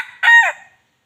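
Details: Crowing of a red junglefowl, the wild chicken, used to lure chickens closer; a brief, hoarse two-part note about half a second long that fades at the end.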